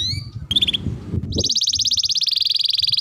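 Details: Canary training song with a brief whistled phrase and a short chirp, followed after a pause by a fast, steady high trill lasting over a second; low rumbling background.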